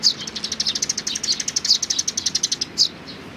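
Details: Sparrow chicks and parents on 17 May 2019: a rapid, steady run of high chirps, about ten per second, with louder sharp notes at the start and the close.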